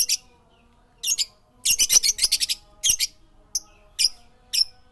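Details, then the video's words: A chirping bird gives dense clusters of high, scratchy chirps and twittering runs, then single sharp notes spaced about half a second apart, with a faint hum behind. "Suara burung berkicau"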